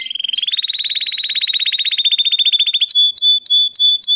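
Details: Canary in song: a long, rapid, level rolling trill lasting nearly three seconds, followed by several evenly spaced sharp clipped notes.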